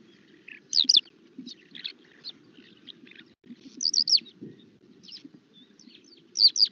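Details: Eurasian skylark flight call recorded on the Halvergate Marshes, Norfolk, in winter: sharp, liquid chirrup calls in scattered bursts of two or three notes, over a faint low background hum.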